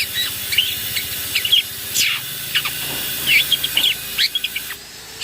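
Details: Young wild long-tailed shrike calling a rival: short sharp chirps and brief buzzy, scratchy notes given irregularly in scattered bursts, over a steady background hiss.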